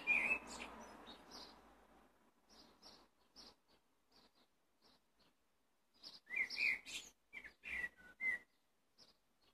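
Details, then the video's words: Blackbird singing: a loud warbled phrase at first, then scattered soft ticking notes, followed by a louder run of whistled and twittering notes with a few descending whistles before trailing off. "Black bird singing"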